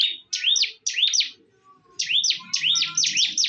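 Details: Fighting bar-winged prinia pouring out loud down-up slurred notes in paired bursts, a silent gap of about a second, then a rapid string of similar swoops over faint low rumble.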